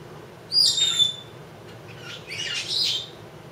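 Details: Indoor two-year-old female Congo African grey parrot, a pet learning to talk for her owner, gives a loud high whistled note sliding downward, then a rougher, squawky burst of notes a second later.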